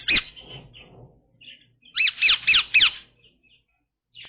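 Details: Pet Indian ringneck parrot giving harsh squawky calls: a loud first note with softer chatter, then a burst of four loud grating squawks in quick succession, with a faint low hum.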